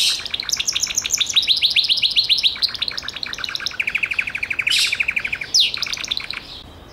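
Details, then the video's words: Gloster canary song with rapid high trills dropping to a long, steady lower trill of even notes, then short brighter flourishes. "CANARIO GLOSTER - Descargate el audio para tu canario."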